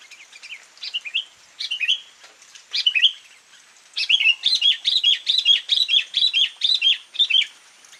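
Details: Sooty-headed bulbul singing in lively bursts: short chirpy, bubbling phrases high in pitch, a few clipped notes in the first half, then a fast run of repeated twittering phrases from the fourth second onward.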